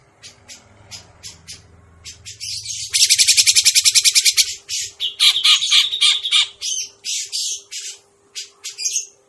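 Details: Grey-cheeked bulbul trapping lure: soft scattered notes, then a loud run of fast buzzy chatter lasting over a second, followed by a string of separate strong harsh calls.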